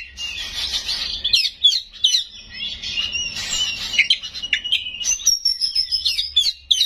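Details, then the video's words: Kacer (Oriental magpie-robin) in 'full isian nembak' song: a scratchy, buzzy jumble at first, then clear sliding whistles and long thin high notes, with a faint low hum beneath. "Suara Burung Kacer Gacor full isian Nembak"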